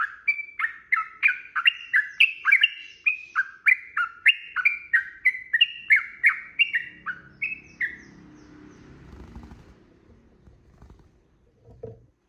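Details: Sooty-headed bulbul in loud, long 'ropel' fighting-style song used as a lure to make other birds answer: a fast run of chirpy two-note phrases, each dropping in pitch, about three per second, fading after eight seconds into faint low rumble.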